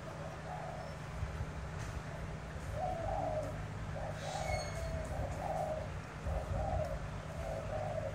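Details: Spotted dove from Tra Vinh, Vietnam, tested in a cooing contest against a wild-caught bird with a rolling style; low, soft coo phrases in short bursts over a steady low hum.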